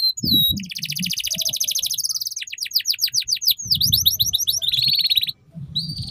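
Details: Canary song used to teach young canaries the ngeriwik style: a fast trill, then loud repeated downward sweeps, rolling buzzy trills and high whistles, with low rumbling background noise.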